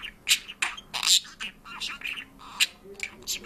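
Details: Georgian-speaking parrot producing short, harsh, squawk-edged syllables at an irregular pace, about one burst per second, high and scratchy, with a quiet background.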